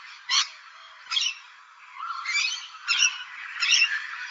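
Rainbow lorikeets give harsh, grating screeches in short bursts, several in a few seconds, with overlapping chatter between them.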